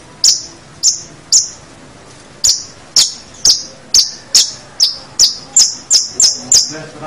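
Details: Long-tailed shrike song used as a master recording for training other birds: a series of sharp, high clicking chips repeated roughly every half second, speeding up toward the end, about fourteen notes.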